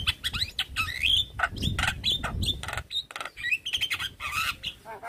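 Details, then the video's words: Javan myna call packed with varied filler notes, said to make a quiet myna respond with sudden stress. A dense, harsh chatter of squawks, rasping bursts and squeaky whistles, nearly continuous, with low rumbling noise underneath. "Jalak Kebo Macet Bunyi / Jalbo Stres Seketika respon dengar panggilan Jalak Kebo full Isian"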